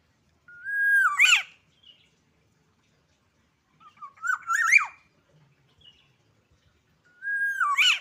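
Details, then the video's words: Agitated black-naped oriole learning to sing, giving three fluty whistled phrases a few seconds apart, each a level whistle that dips and then breaks upward into a harsh, squeaky flourish, in a quiet indoor setting. "kepodang emosi belajar bunyi"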